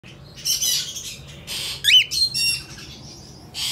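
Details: Hand-tame albino cockatiel chick in Fukuoka, Japan, 28 August 2023, giving harsh, raspy, hissing bursts, then a short whistled downward-sweeping note and more scratchy squawks in quick succession, indoors with faint low background hum.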